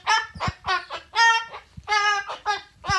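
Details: Umbrella cockatoo kept as a pet indoors, singing "good bird": harsh, nasal, honking syllables in short uneven bursts, repeated several times within a few seconds.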